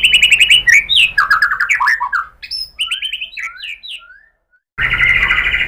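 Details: Lure song of a white-rumped shama meant to stir other shamas: rapid buzzy repeated notes, then varied whistled swoops and slurs, a short silence, and a loud dense trill.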